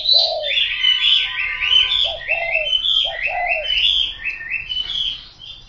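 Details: Low two-part coos from a spotted dove, repeated three times, mixed with loud, high chirping and warbling from other birds.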